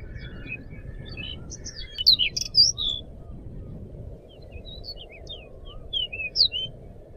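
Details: Crescent-chested babbler in full song, used as a lure and tutor: bright slurred high whistles grouped around 2 to 3 seconds and again near 6 to 6.5 seconds, softer twitters between, with a steady low hum underneath.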